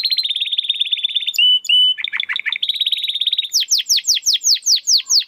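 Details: Domestic canary in the 'crystal voice' style, used to train competition birds, sings a steady high whistled trill, then a rapid rattling run and another long trill, ending in a string of loud descending sweeps, about two to three per second.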